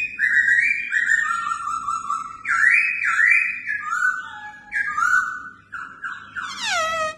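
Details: A red-whiskered bulbul (chào mào), trained as a fighting/competition bird, sings loud, rich, slurred whistled phrases that rise and fall, ending in a quick tumbling run of notes.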